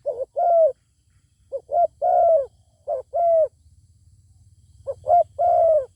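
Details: Zebra dove calling back at a wild bird with a strong voice that stays away from a fight. Several phrases of short stuttering notes end in a long, softly falling coo, over a steady low rumbling background.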